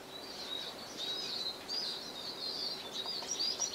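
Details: Male Eurasian siskin singing from a perch in spring 2010, among siskins feeding on sunflower seeds; a continuous run of high twittering notes with thin whistled slurs and a drawn-out wheezy phrase near the end, over soft background hiss.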